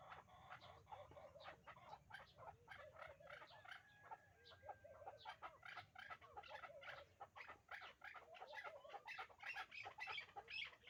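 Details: Calls of a captive hybrid partridge pair kept for breeding run together in a long, fast, rattling chorus of rough chuk notes that swell and fade, growing louder near the end.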